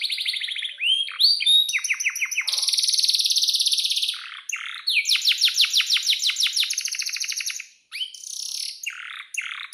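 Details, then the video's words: Canary in sustained song with long rolls, used as a tutor for young canaries. Whistled slurs lead into a steady high buzzing roll, then a run of quick descending chirps and further varied trills, with brief pauses. "SUARA BURUNG || Kenari GACOR PANJANG"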